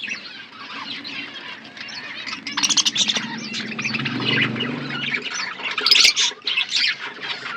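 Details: Budgerigars eating food in an outdoor aviary: dense, high chirping and warbling chatter from many birds, with a low droning hum underneath in the middle section.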